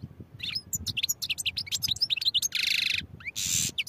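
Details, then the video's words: European goldfinch singing a rapid, liquid twittering song of high chirps and quick slurred notes, broken by two long nasal buzzy trills near the end; faint low rumble in the background. "goldfinch songs | goldfinch singing"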